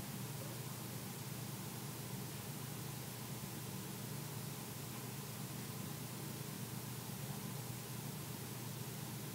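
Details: Only steady hissing static with a low hum is heard throughout.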